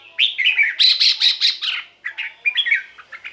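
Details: Caged red-whiskered bulbul song for luring or exciting other birds: one rising warble, a rapid volley of about six loud clipped notes, then softer twittering phrases fading out.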